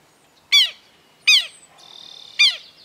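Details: Red-crested cardinal feeding in Esperanza, Santa Fe, Argentina, 2022, on fruit, mulberry, privet, sunflower seeds and maize; three loud, sharp, downslurred chip notes spaced under a second apart, with a faint steady whistle between the last two.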